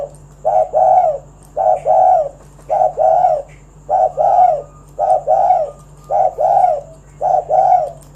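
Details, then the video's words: Spotted dove giving a lively 'kuk 1' style calling song, used to lure other doves into singing. Low, mellow two-part coos repeat about once a second, eight phrases in all, each a short note followed by a longer rolling coo, over a faint steady hum. "Tekukur Kuk 1 Gacor Suara Panggilan Burung Derkuku agar Bunyi Gacor Manggung"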